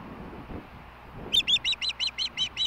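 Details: Wild osprey on its Montana nest at Hellgate, evening of 20 May 2016, during a large dinner; after soft low background noise, nine piercing whistled chirps come in an even row, each short and slightly downturned.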